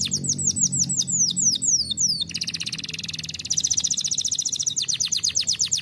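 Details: Canary in full song: rapid descending trilled notes give way to a dense, fast buzzing roll, then steady repeated sweeping notes, all high and energetic.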